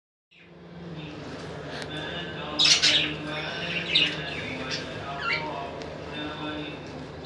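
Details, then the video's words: Lovebirds indoors giving a few scattered, shrill squawks and chirps, separated by pauses, over a low steady hum. "طيور الحب"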